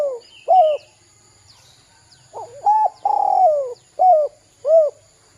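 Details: Spotted dove, a lure to make young birds call: a series of short, mellow coos around 500 to 900, each arched note rising then falling, one longer drawn-out coo in the middle, with a steady high whine in the background.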